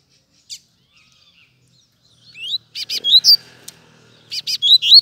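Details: Double-collared seedeater that showed up unexpectedly, singing loud, high whistled and slurred notes, some rising sharply. The notes come in quick clusters after a quiet start, over near silence.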